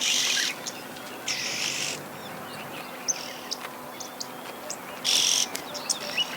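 Red-billed oxpecker giving three harsh, hissing rasps, each about half a second long and a few seconds apart, with soft clicks and chips in between.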